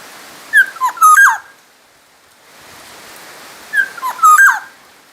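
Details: Black-naped oriole from Sumbawa used for training other songbirds: two matching fluty whistled phrases about three seconds apart, each of quick slurred notes ending in a falling glide.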